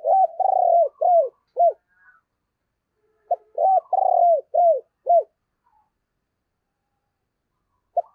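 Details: Decoy Spotted dove with a Thổ-style voice repeating its cooing phrase twice: long buzzy coo followed by three or four short falling notes, separated by a pause of about two seconds.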